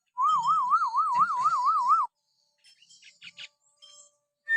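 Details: Common hill myna natural whistle for provoking pet mynas to call: a steady two-second whistle that wobbles rapidly up and down in pitch, followed by soft scratchy chatter and a sharp final note.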